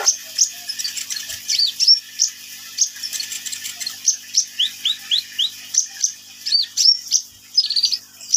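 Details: Kolibri ninja, a sunbird, in lively song: high, sharp tweets and rising slurred whistles repeated quickly in uneven runs, mixed with short buzzy trills, continuing for several seconds.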